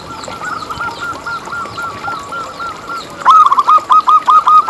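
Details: Zebra dove song, a local bird used as a lure to start other doves singing. A soft, even series of hooked cooing notes, about two per second, swells into a loud rhythmic volley near the end. Faint high bird chirps continue throughout.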